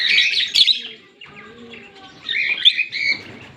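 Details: Green Fischer's lovebird pair, kept birds, chirping and singing: harsh, high buzzy chirps in a dense burst, a quieter stretch of softer twittering with low tonal notes, then another loud burst of shrill chirps.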